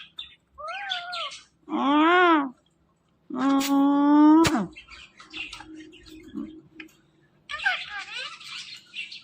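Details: Talking ring-necked parrot with a person repeating words nearby: a few wavering speech-like syllables, a long buzzy harmonic note, then softer chatter and a scratchy burst at the end.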